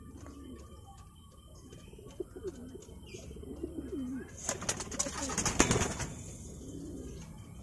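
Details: Domestic fancy pigeons in a hobbyist's loft in Purwokerto, some moulting, some brooding with two newly hatched chicks: low, rolling coos repeat, then a burst of wing flaps and rustling, with faint high chirps from songbirds kept nearby.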